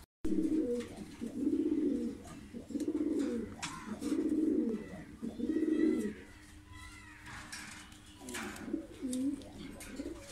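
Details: Lahore pigeon, blue bar-less breeding pair, gives low, rolling coos roughly every second and a half, then quieter cooing with faint higher chirps in a small room.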